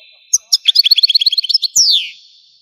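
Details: European goldfinch from Algeria singing: a couple of sharp chirps, then a quick even run of bright twittering notes finished by a loud descending slurred note.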